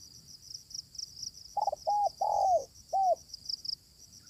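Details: Wild spotted dove, described as fierce, calling back to a decoy: four soft hollow coos, the third drawn out longer, delivered in a quick uneven run over constant shrill insect chirring.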